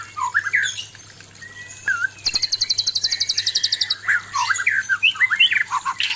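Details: Male white-rumped shama courting a fierce female: varied whistles, then a long rapid high buzzy trill lasting nearly two seconds, followed by quick bursts of rising and falling whistled notes.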